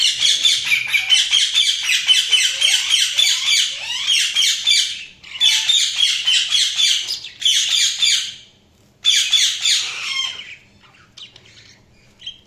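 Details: Budgerigars chirping: fast, busy warbling chatter of high, scratchy, squeaky notes, several per second, in long bursts broken by short pauses, with occasional short descending whistles.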